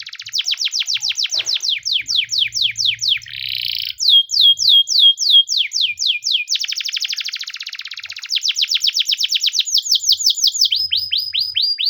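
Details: Russian canary delivering a training song in successive tours: runs of quick descending high notes alternate with brief buzzy rolls, the rhythm changing speed every few seconds, with almost no background noise.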